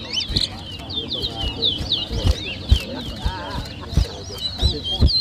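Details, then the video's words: Towa towa whistling in a competition at New Amsterdam, Berbice, Guyana, 2023: bright, high rising and falling whistled notes in quick succession, over irregular thuds and people talking. "TOWA TOWA BIRD WHISTLING COMPETITION"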